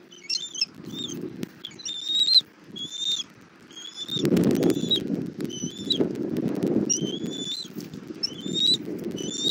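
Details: Southwest Florida nest camera, 1 April 2024, 17:30, as the mother bald eagle brings food to her chick: high, squeaky piping chirps in rapid clusters, with loud rustling and thumping in the nest.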